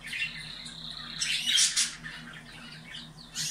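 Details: Canary song used to stimulate breeding in caged birds: a long steady whistled note, then a loud burst of rapid chattering trills, with a faint low hum behind.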